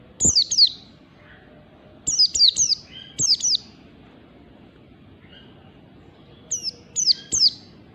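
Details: Morning 'ngalas' song of an Oriental white-eye, recorded as a training lure: bursts of two to four very high, sharply falling whistles, repeated after pauses of about a second, with a soft lower note in between.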